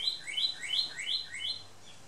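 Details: A male northern cardinal in a garden on Big Island sings a quick run of clear, slurred whistles, alternating higher and lower notes about three times a second, over faint background hiss.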